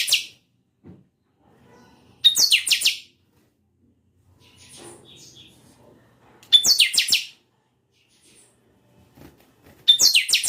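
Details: Song bursts of a bred chanchão come about every four seconds. Each is a high clipped whistle followed by a fast run of falling, shimmering notes, with faint room noises in the gaps.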